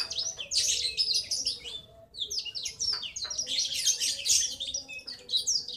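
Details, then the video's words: A young male Black-throated Canary gives a fast, rolling chatter of thin, high twitters in two long bursts over a faint low hum; such a long rolling chatter marks a young bird as male. "Ciri suara ngriwik Burung Blackthroat anakan Jantan"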